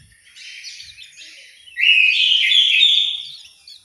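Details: Orange-headed thrush in an aviary in Malang, East Java. A soft, high, twittering lead-in gives way to a loud, sustained, rich warbled phrase lasting about a second and a half, then fading.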